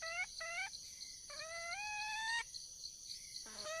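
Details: Wild junglefowl hen calling for a male: two short upslurred notes, then a long, sustained, slightly rising harmonic note, and a final lower note, against a steady background of buzzing insects.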